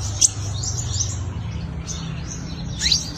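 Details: Five-colored sunbird giving its fighting song, used as a lure for wild birds: thin high chirps and quick rising squeaks scattered through the phrase, with a low background hum.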